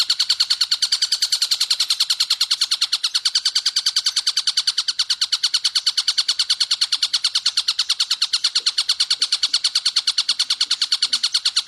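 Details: Long-tailed shrike song for training other cagebirds: a long, fast run of harsh, buzzy chattering notes, about eight to nine per second, held at an even pitch and loudness without pause. Clean recording with no other sounds.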